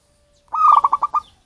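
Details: Wild-origin local zebra dove whose call lures birds: one short burst of about seven rapid, clipped coo notes, the last ones spaced slightly wider.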